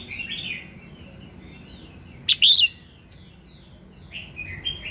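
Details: Morning song of a red-whiskered bulbul, meant to stimulate other bulbuls into singing: soft warbling at the start, then one loud, rich burst of slurred whistled notes midway, followed by quieter rising phrases.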